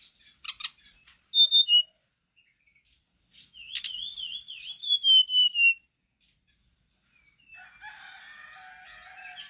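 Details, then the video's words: Brown-chested jungle flycatcher in lively song: short high whistled notes and a sharp chip, then a long wavering whistled phrase slowly falling, after a pause a faint, muffled twitter. "SRDC (sikatan rimba dada coklat) gacor teler"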